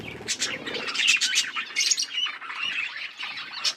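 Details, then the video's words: Budgies in a breeding setting chatter in a dense, fast stream of bright chirps and squeaky warbled notes with no pauses. "Budgies breeding progress | Birds chirping sounds"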